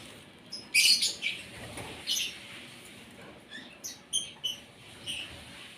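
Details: Asian pied starling (jalak suren) at morning feeding: a loud squeaky burst followed by a series of short, clipped high notes spaced about half a second apart.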